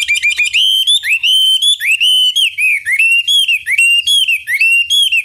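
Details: Chinese hwamei in energetic song, a long lure recording meant to draw a rival bird into replying; rapid, loud, ringing whistled notes, many upslurred or hooked, delivered in a continuous varied stream about once a second, with no other sounds.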